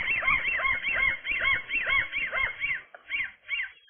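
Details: Seagull chicks flying for the first time, 7 July 2022, give rapid arched whining squeals in quick succession, rising and falling, slowing into paired notes near the end, with soft low knocks below.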